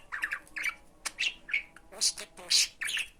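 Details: Pet budgerigar talking, mimicking Turkish words such as "Hani benim fıstığım, benim aşkım, iyi günler" for teaching other budgies; raspy chattering syllables in short bursts, with bright squeaky notes between them.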